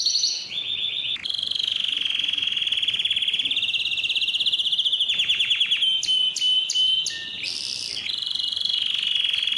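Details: Powerful canary song meant for teaching young canaries and prompting rival males to sing: long buzzy trilled rolls at steady pitch, a fast descending series, then sharp metallic clicks and a thin whistle.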